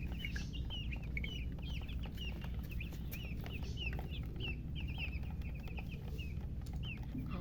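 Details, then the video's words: Baby chickens just hatched, peeping busily: rapid high chirps, many slightly downslurred, tumbling over one another almost twice a second against a low droning hum. "Tot Murgi chicks chirping sounds Just Born Baby Gallina FRACAS Chicks Piar Loudly Sound"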